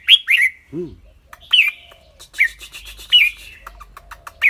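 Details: Clear-voiced red-whiskered bulbul singing and chattering: two sharp whistled notes open, followed by loud slurred whistles about every second and scattered clicking ticks, with one short low voiced sound early on.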